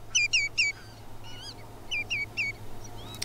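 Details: A Common greenshank (Tringa nebularia) calls with clear, well-detached ringing whistled notes in quick triplets, tew-tew-tew, repeated twice with a few fainter notes between, over a low hum.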